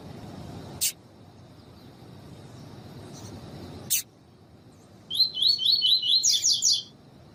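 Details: Female Double-collared seedeater calling to train and warm up captive males, heard as a quick run of sharp, high-pitched chirps near the end, after two isolated clicks and a stretch of quiet hiss.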